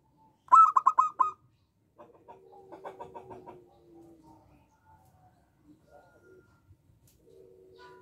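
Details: Local zebra dove singing actively with a small voice: a quick burst of about six pulsed, rolling cooing notes in the first second, then faint, softer scattered notes and low murmurs over a quiet background.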